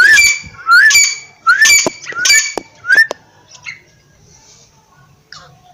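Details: Partridge giving harsh squawks, each with a rising upward-sliding note, repeated roughly every half second for three seconds, then near silence with faint chirps.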